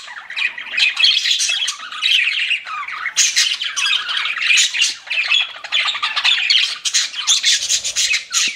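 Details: A group of pet budgies chirps and warbles continuously, bursts of scratchy squawking chatter rising and falling every second or so.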